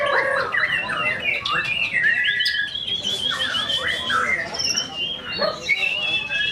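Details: At a bird song contest, a tame caged white-rumped shama belts out mimicry fill-ins: loud fluty whistles and buzzy trills in bursts, rising and falling, with brief gaps and other birds singing behind.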